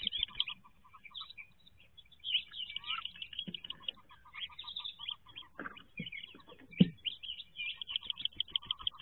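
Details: In-box recording of wood duck ducklings before leaving the nest in 2023: many overlapping shrill peeps and rows of quick lower pulsed notes, broken by scattered bumps and scratching thuds in the box.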